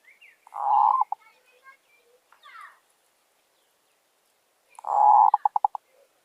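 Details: Wild village zebra dove near a trapping decoy: a rich, rolling coo followed by quick stuttering notes, a pause with faint scattered chirps, then another coo that breaks into a fast staccato run of clipped notes.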